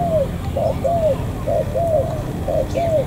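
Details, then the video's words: Spotted dove, a wild-caught bird from the An Giang border area of Vietnam, giving low mellow coos in paired notes, a short note then a longer slurred one, repeated about once a second. "Cu gáy bổi thổ cửa khẩu An Giang"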